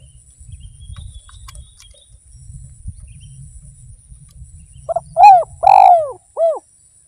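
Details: Spotted dove in full song, used in Indonesia as a lure so that hearing birds join in; after low background rumble come four loud, deep, rounded coos, the second and third longest and strongest, ending with a shorter note.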